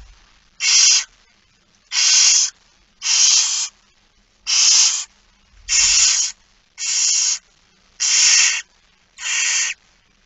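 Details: At a nest feeding on 13 September 2019, 06:57, barn owls give rasping, hiss-like begging screeches of roughly half a second, eight in a row at fairly even spacing, about one every 1.2 seconds.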